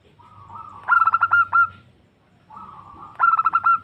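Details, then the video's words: Female zebra dove calling to a male, a recording used for luring birds. Two phrases, each opening with a soft, low hum before a burst of about five quick, staccato coos and a longer closing note, roughly two and a half seconds apart. "Suara Perkutut Betina Memanggil Jantan"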